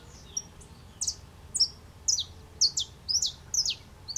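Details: Saffron finch singing in a pepper tree (aroeira) in Brazil: a quick run of sharp, high chirped notes with bright downslurred chips, irregularly spaced, roughly two per second, over faint low background noise.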